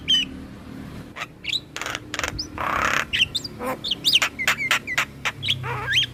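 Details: Black-winged myna song used to stimulate captive birds: scattered squeaky whistles and chattering, a broad harsh rasp midway, then quick twittering notes over a noisy background.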